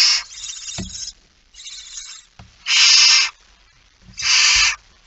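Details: Barn owl in its nest, recorded 19 September 2019 at dawn; four raspy screeching hisses, two soft and two loud, the louder ones nearly a second long, with light thuds from movement.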